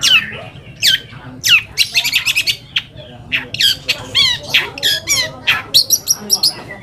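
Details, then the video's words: Lure song of a long-tailed shrike, meant to provoke other shrikes into replying: rapid sequence of sharp chattering notes and quick up-and-down whistles, dense and rhythmic, with faint background hum. "PANCINGAN AMPUH BURUNG CENDET AGAR CEPAT GACOR - cendet manapun langsung nyaut dan emosi"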